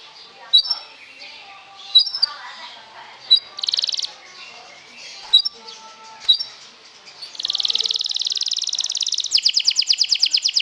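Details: Canary lure song for provoking other canaries: scattered sharp high chips and short notes at first, then a long, dense, buzzy high trill that breaks into louder, rhythmically pulsed notes near the end.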